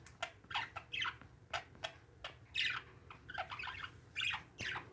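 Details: Pet parakeets give rasping, buzzy chirps and squawks in quick succession, mixed with crisp clicks.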